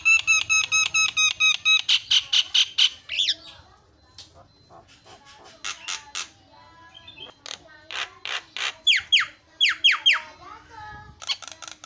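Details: Javan myna varied song meant to rile up other mynas: a rapid train of clipped buzzy notes with a steady whistled tone, then sparse clicks and sharp repeated downslurred whistles.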